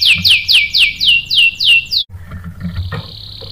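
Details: Canary song used as a lure to provoke canaries to sing: seven strong falling whistles, about three per second, followed by a soft, level, high whistle.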